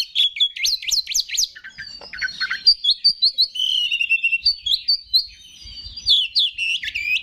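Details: Oriental magpie-robin song used to provoke other males. Loud looping whistled notes swoop up and down, then smoother level phrases follow, with soft tapping in the background.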